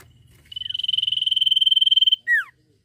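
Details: A sirtu delivers a high, rapid, rattling trill that swells in loudness over more than a second and a half, then finishes with a single loud whistle dropping steeply in pitch; faint low hum underneath.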